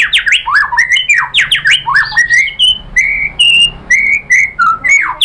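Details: White-rumped shama pouring out rapid repeated downward-swooping notes, then longer clear whistles at steady pitch with sharp accents, sung loudly and continuously.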